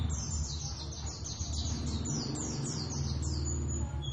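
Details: Javan Oriental white-eyes practising their ngeriwik duet song. A short burst of rapid, high descending chirps repeats over a steady low mechanical hum.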